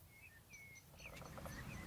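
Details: Trumpeter finch (Bucanetes githagineus) call: thin, drawn-out nasal notes, several in under two seconds, faint against a steady low rumble of background noise.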